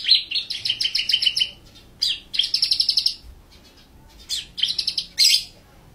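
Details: White-rumped shama delivering full tembakan song: fast bursts of rattling, evenly repeated sharp notes broken by short pauses, with occasional single swooping whistles between rattles.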